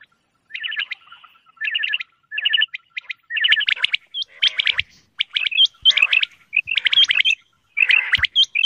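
Quail giving quick bursts of sharp, high chirping notes, grouped in short runs about every half second to a second, with a faint steady hum underneath.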